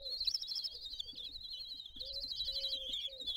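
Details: Common kestrel family at a balcony nest in Théding during a meal on 20 June 2022 gives high, wavering, trilled calls in a near-continuous stream that dips and rises, over a faint intermittent low hum.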